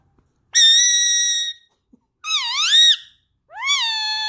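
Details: Pet Indian ringneck parakeet, a male, singing along with its owner indoors: three loud whistled phrases, a long steady tone, then two wavering rising-and-falling notes, separated by short silences.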